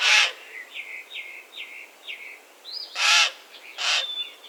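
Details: Wild common raven: a harsh croak, then after a gap of small-bird chirping, two more rough, hoarse calls close together.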